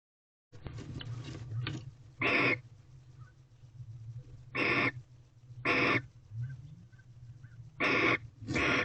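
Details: Barn owls at an owl box in a corral, a bonding pair, recorded 26 February 2023 at 5:03 pm. Loud broadband hissing screeches of about a third of a second, five bursts spaced irregularly, over a steady low hum.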